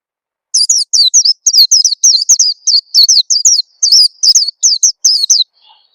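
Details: Oriental white-eye lure sound to coax young birds into singing quickly: a steady, nearly unbroken stream of around eighteen high, thin chirps, each sliding downward, over five seconds.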